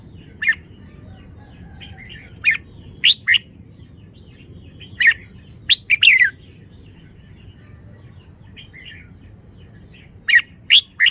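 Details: Red-whiskered bulbul singing scattered loud, bright whistled notes and short two- or three-note phrases with slurred downward endings, separated by pauses of one to four seconds, faint chirps between, over a low background hum.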